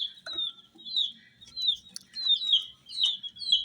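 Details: Dyed baby chicks cheeping: clear high peeps that slide downward, given in small bursts, over a quiet background with one soft knock.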